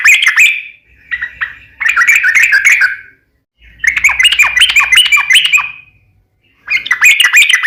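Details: Sooty-headed bulbul in tarung fighting song with uplik ropel delivery: bursts of fast, harsh, chattering and bubbling notes separated by short silences. A faint low rumble can be heard in the background.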